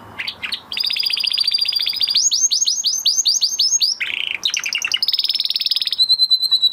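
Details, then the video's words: A canary sings after its moulting period. It gives a fast, varied song of high buzzy trills, rapid repeated chips and clear whistled tours that shift every second or so. "Canary Trying To Unlock His Full Singing Potential"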